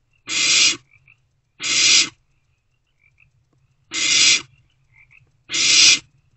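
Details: Owlet in a nest box during the early hours of 16 March 2024, after a rodent delivery; four loud harsh hissing bursts, each under a second, separated by uneven pauses with faint tiny squeaks.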